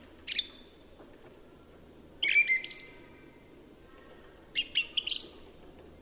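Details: Song thrush delivers three separate high phrases about two seconds apart, each a quick cluster of sharp notes ending in a drawn-out thin whistle.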